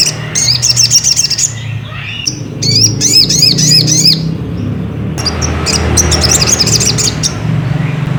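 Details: Sogon or ruby-cheeked sunbird song, played as a lure to make another bird sing: three bursts of fast, high, looping chirped notes separated by short gaps, with a low rumbling hum beneath.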